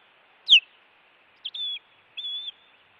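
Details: Osprey at a Montana nest watched by camera while an intruder visits, 16 June 2017: one sharp downward yelp, then two drawn-out, level, high whistles.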